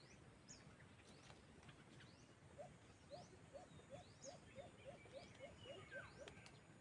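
A White-eared brown dove gives a run of about a dozen short, low hoots, evenly spaced three to four per second. Thin chirps from other birds and steady background hiss continue throughout.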